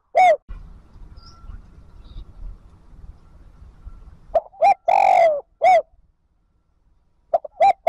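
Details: Spotted dove calling to bring wild doves into the flock: a brief coo, then a low background hum, then a full phrase of short coos around a long coo, and the start of another phrase.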